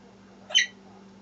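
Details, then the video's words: Female African grey parrot, a rescue bird now living in a home, heard from the other room while unseen; one brief bright squawk with stacked harmonics, sharp onset and quick fade, against a quiet room with low hum. "African Grey talking from the other room"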